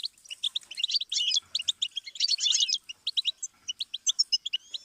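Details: Goldfinch song played as a learning stimulus for songbirds: fast runs of bright, high twittering notes and liquid trills, with dense buzzy bursts near the middle and quick chirps repeated to the end.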